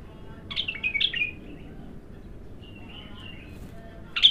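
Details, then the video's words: Bulbul, untrained and singing for the first time, gives two loud, slurred whistled notes, then softer, trailing notes and a sharp, loud note at the close, with a low hum underneath. "تغريد الابتر خام اول فتحـه له"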